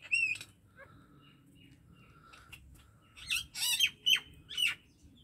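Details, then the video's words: Common myna song: a few sharp whistled notes, then after a quiet gap a loud burst of harsh, squawky and whistled syllables between three and five seconds. "MYNA BIRD SONG / MYNA BIRD SOUND /MYNAH BIRD SINGING"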